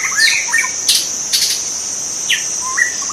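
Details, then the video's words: Wild white-rumped shama in its habitat sings short, clear, whistled phrases, with a falling slur and a rising upslurred note, over a steady, shrill insect hum. "kicau murai batu"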